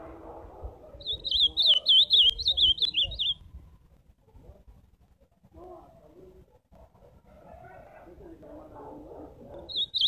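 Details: Ultramarine grosbeak song recorded live: a fast, high, warbled whistle phrase of roughly ten notes, then several seconds of soft low murmuring noise, and another song phrase beginning at the very end.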